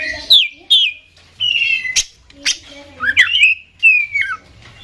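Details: Kacer, the Oriental magpie-robin, singing in the energetic 'ngeplay konslet' style. Clear sustained whistles alternate with sharp clicks and swooping, wavering notes, with brief pauses between phrases.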